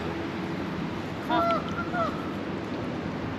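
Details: Friendly geese in Hartford, Connecticut, give a few short, nasal honks midway through, rising then falling, over a steady rushing background noise.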